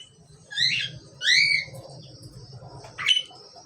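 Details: Asian pied starlings, a pair, giving two long, rising-and-falling harsh squawks with strong overtones, then a shorter clipped note, over a soft low hum.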